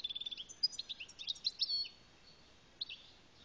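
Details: An Algerian European goldfinch (Carduelis carduelis) sings a quick run of about ten high, even notes, then a tumbling, liquid twitter of bright trills and slurred tweets, ending with a brief phrase.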